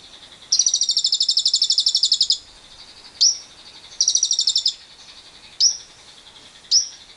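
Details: Lovebird long 'ngekek' trill used to set off other lovebirds: a dense, buzzy high trill lasting nearly two seconds, a shorter second trill, and single upward-flicked chirps between.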